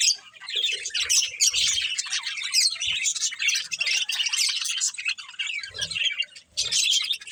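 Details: Several budgerigars playing together chirp in a dense, continuous high twittering chatter of rapid overlapping warbles and squeaks, with a few short quieter breaks and faint low thumps.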